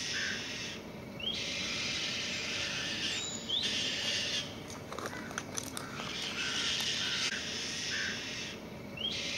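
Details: White-tailed kite chicks, newly able to fly and coming back to the nest, calling loudly: a series of long, hoarse rasping screeches, each lasting a second or more, separated by brief pauses, with steady background rushing noise.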